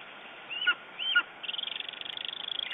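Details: In Estonian morning, 9 June 2011, a lesser spotted eagle gives two high arched, falling yelps followed by a rapid buzzy run of pulsed notes near the top of its range.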